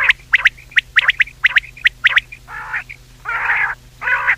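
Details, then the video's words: Common quail voice used for night hunting in Pakistan: sharp, liquid notes in quick pairs and triplets, followed by rough, buzzy bursts, with a low electrical hum underneath. "quail voice for hunting | Batair ki awaz Raat | common quail voice"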